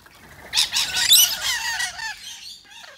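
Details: Rainbow and Scaly-breasted Lorikeets in the afternoon give a burst of harsh, shrill screeching squawks, several overlapping in quick succession before trailing off into thinner chattering notes.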